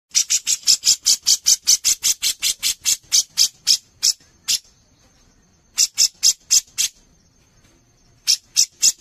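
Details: Grey-cheeked bulbul (cucak jenggot) singing energetically as a master recording for songbird contests: harsh, buzzy broadband notes repeated about three times a second in long bursts with short pauses, over a thin, steady high-pitched tone.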